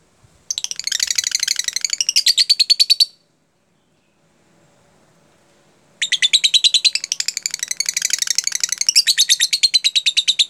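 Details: Lovebird singing in "jeda rapat" style for training other lovebirds: two long bursts of rapid, evenly pulsed high trilling, separated by a silent gap of about three seconds.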